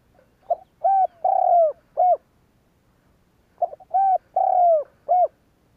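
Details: Spotted dove calling to prompt other doves to coo, giving two matching phrases about three seconds apart, each a soft pickup note, a short hoot, a long falling coo and a final clipped note.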